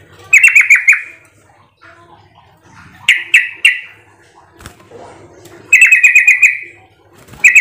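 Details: Yellow-vented bulbul (trucukan) calling as a lure to provoke answering song: bright, bubbling bursts of five or six quick notes, repeated about every three seconds, with a faint low background rumble.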